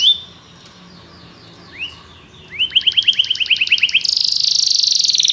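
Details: Belgian canary: faint soft notes, a single rising whistle, then a quickening series of rising repeated notes leading into a fast, high buzzy trill.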